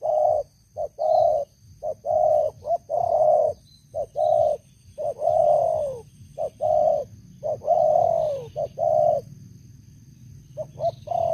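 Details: Caged old decoy spotted dove used to lure wild doves, noted for a loud voice: a string of mellow, low coos in grouped phrases, each note holding level then sliding down, with pauses between bursts and a steady low hum and a faint high whine.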